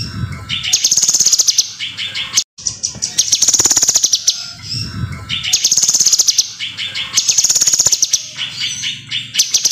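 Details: Lively Kinoi song used for training other birds: high, fast buzzy trills in bursts of about two seconds, repeated in a steady loop, mixed with quicker chattering notes and brief silent gaps.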